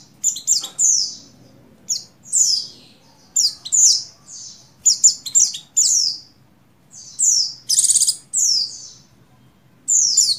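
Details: Female Oriental white-eye in breeding condition calling a male, dated 7/3/21, to stimulate buxtoni males: busy sequence of high squeaky descending chirps and brief twitters, one short buzzy burst near the end, low hum beneath.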